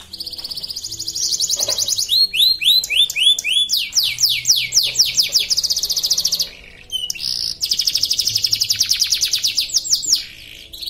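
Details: Caged canary in an online singing competition, its owner based in Pontianak, West Kalimantan, Indonesia, and the bird fed millet; a long, loud, high song of rapid repeated trills and sweeping notes, a brief pause midway, then more fast rolling phrases.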